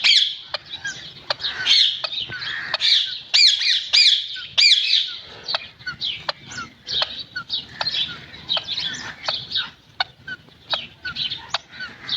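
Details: Talking green parrot producing fast, high, squeaky chatter with many sharp clicking ticks at an uneven pace, loudest shrill bursts early, then softer chirps.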